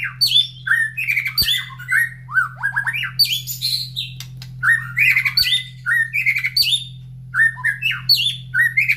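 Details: Caged white-rumped shama singing in the morning after feeding, placed near other breeding cages: a busy run of varied whistles, slurred notes and harsh rattling phrases in quick bursts, with a constant low electrical hum.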